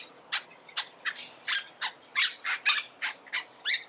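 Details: Monk parakeet giving a series of about eleven short, harsh, rasping squawks, roughly three per second, fairly even in loudness.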